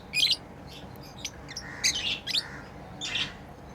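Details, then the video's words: Tame lovebirds at play make a shrill chirp, faint twittering, a pair of sharp rasping chirps and a softer closing twitter. "Lovebirds playing & Chirping sounds"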